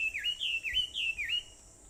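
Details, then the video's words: Wild birds on Aobayama, Sendai, Japan, on 21 July 2014 at 4:30 in the morning; a clear whistled phrase of swooping, wavering notes rising and falling, repeated twice, over a faint steady high hiss. "Sound of Birds on Aobayama"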